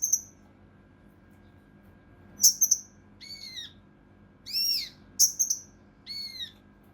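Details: Rough, dense 'shooting' song of a mountain leaf warbler for training competition birds: after a short silence, a string of harsh, ringing, high bursts, some sliding downward, comes in uneven spurts over about five seconds.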